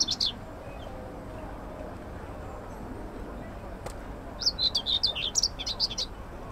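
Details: Common whitethroat singing in Södra Årstalundens allotment garden, Södermalm, central Stockholm, Sweden, on 25 May 2024: a brief scratchy warble of quick, jumbled notes after a short opening phrase, over low city rumble.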